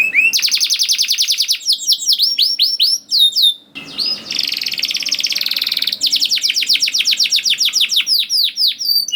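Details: Canary song played to coax young canaries into singing: rapid high trills alternating with downward-sweeping whistled notes, a sustained buzzy rattle in the middle, then long runs of repeated sweeping chips.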